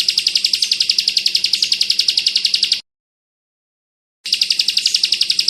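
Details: Bar-winged prinia, known locally as ciblek, in a rapid crystal-toned 'kristal bren rapat ak 47' tutor song for training white-eyes: dense high buzzy notes repeated about four times per second, broken by a silent gap near the middle.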